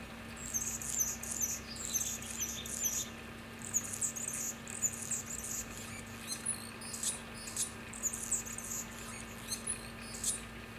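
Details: Male Anna's hummingbird singing in Santa Cruz, California, after threatening a passing male: repeated bursts of scratchy, very high squeaky notes in phrases of a few seconds, separated by brief pauses, with a few sharp ticks and a steady low hum behind.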